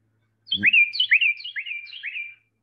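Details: Carolina Wren, a year-round resident heard mostly in spring and summer, sings four quick, loud, rolling "tea-kettle" phrases in about two seconds, each a high slurred note into a rich rising whistle, with a soft thump at the start.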